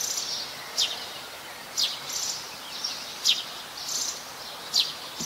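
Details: Plain-backed sparrow, a common resident, at Ubon Ratchathani, Thailand, on 17 January 2020: short high chirps repeated about once a second, each a brief bright note, over a steady hiss of insects or background noise.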